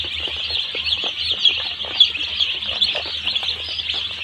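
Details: Crowded one-day-old chicks at a poultry farm give a constant shrill peeping, overlapping high cheeps forming a steady wall of sound with low machine hum beneath.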